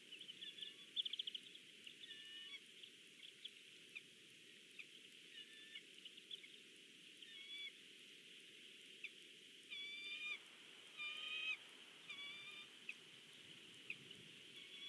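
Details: Bald eagle at a Big Bear nest as a fish is delivered, captured by a live nest camera; several bursts of high, thin, whistled chattering notes, some in rapid runs, over a constant background hiss.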